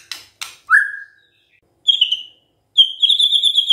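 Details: White-rumped shama in gacor song: a couple of sharp clicks, then a single clear falling whistle, a pause, a high thin whistle, and a sustained trilling high note at the end.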